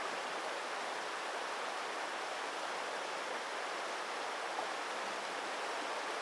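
Even rushing of flowing water, like a stream or small waterfall, fills the whole stretch with no animal voice heard.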